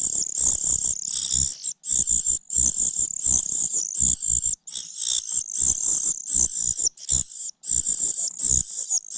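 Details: Common cuckoo chick raised by a foster mother, repeatedly failing to grab food and pecking at her; near-continuous high, shrill wheezing begging with brief breaks, over dull thuds and rustles.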